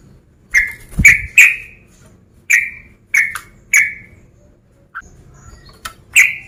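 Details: Sooty-headed bulbul, a male, calling out a rival: scattered loud, sharp notes with short fading tails, in irregular bursts of two or three across six seconds, with a dull thump near the start and a quiet gap midway.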